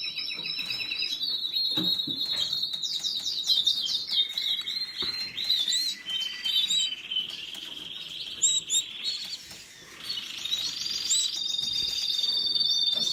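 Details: Canary singing a varied, continuous song of quick repeated syllables, rapid trills and rolling tours, with short sweeping notes and a brief pause before another run of fast rattling phrases.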